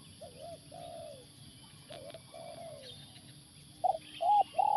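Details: Live decoy spotted dove set down at a factory site to lure wild spotted doves; soft low coos in two-part phrases, slurred and falling, then louder, sharper notes near the end over a steady background hum.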